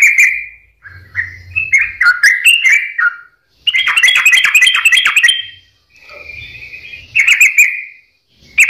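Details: Sooty-headed bulbul singing as a lure for reluctant birds: warbled whistles, a brief pause, a rapid chattering burst, softer sustained notes, then more bubbly phrases, with faint low hum in places.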